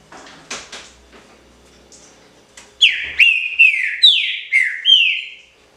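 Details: Trinca-ferro (green-winged saltator) singing in the pixarro style. Soft clicks and taps come first, then six loud, clear whistled phrases, each sliding down before a short upward flick, given in quick succession.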